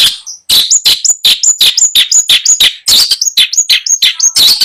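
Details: Caged long-tailed shrike singing at a bird seller's in Bondowoso as a buyer chooses a bird: a fast run of harsh chattering notes, each tipped with a thin, high, clear whistle, repeated nearly three times per second.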